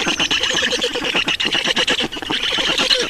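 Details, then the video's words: Estonian black stork nest at feeding, 2019: fast, wheezy pulsed calls with a thin whistling overtone, steady and unbroken. "Estonian Black Storks - Feeding"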